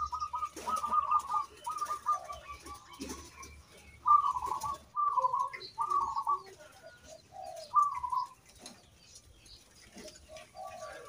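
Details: Local zebra dove in full song, used to stimulate other birds to sing. Clusters of rippling trilled coos come at uneven gaps, and some are followed by a lower hollow note. Later there are quieter pauses with faint background sounds.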